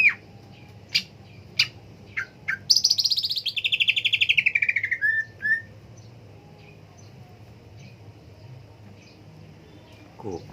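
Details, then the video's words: Green leafbird (cucak ijo): scattered sharp chips, then a loud rapid buzzy trill falling steadily for about three seconds and ending on two whistled slurs; long quiet stretch with faint notes after. "Burung cak ijo"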